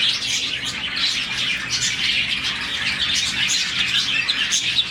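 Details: Around 40 budgerigars in a colony chirp happily in the morning, producing a constant flock chatter of scratchy, high, rapid twitters and short squawky notes, all overlapping.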